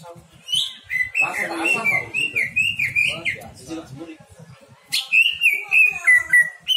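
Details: Lure song of the greater green leafbird, meant to draw out its repertoire of imitations: rapid run of loud whistled and chattered notes, a pause, then a bright series of sliding whistles.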